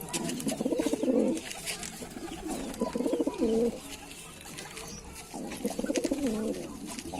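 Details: Lalsara pigeon with three separate bouts of low, gurgling, pulsed coos, each ending in a short swelling note, amid light clicks and taps.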